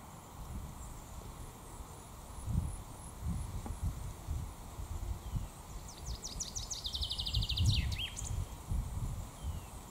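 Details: Breeding Common chaffinch singing its Finkenschlag in the Raaderwald woodland in 2022. Rapid ringing notes fall in pitch and quicken into a trill, then finish with a downward flourish near the end. Thin high repeated chirps come earlier, over rustling and low background rumble.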